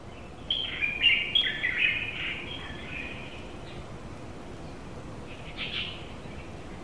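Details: A pair of Japanese white-eyes outside a window in July 2018: bright, thin chirping twitters in a quick tumbling run over the first three seconds, then a faint brief chirp later, over a low steady background hiss.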